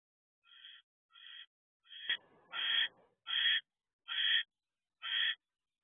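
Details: Barn owl guarding its owl box at 7:08 pm on 6 December 2023 while its mate stays inside: seven short harsh hissing screeches, roughly one every three-quarters of a second, growing louder, with a sharp click midway.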